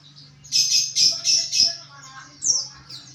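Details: White-eye chattering ngriwik-style for training: a rapid series of four loud high chirping bursts, then softer twitters and one upslurred squeak, over a constant low hum.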